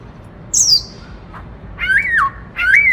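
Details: White-browed laughingthrush, a kept bird, in "bắt cô trói cột" song style. A thin high slurred note is followed by two louder whistled phrases that rise, then drop.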